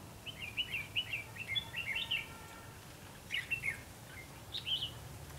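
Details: Red-whiskered bulbul singing during a bird-trapping session on 19 September 2016: a quick run of bright warbled, whistled notes for about two seconds, a pause, then a second shorter burst of similar notes over a low background hum.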